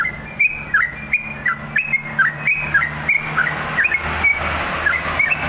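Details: Yellow-vented bulbul singing busily, fast series of short liquid whistles with dips and upturns, steady through the clip as broadband rushing noise builds toward the end.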